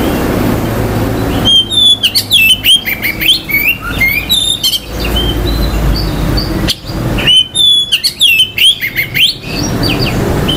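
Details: Oriental magpie-robin singing to provoke other males' aggression and mating urge: two long, busy bursts of varied whistles, up-and-down slurs and rasping notes, split by a quieter pause with a few soft notes over a low rumble.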